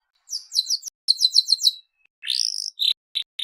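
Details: Canary of the Seri FI type singing vigorously: a run of quick repeated high chirps, a rapid buzzy trill, a rising sweep, then short separate high notes with brief pauses between phrases.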